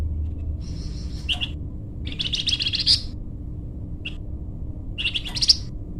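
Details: Energetic song of a flamboyan bird, meant as a lure or song tutor: a thin high note, then scratchy chirp clusters and a sharp single chip, spaced about a second apart over a faint low drone.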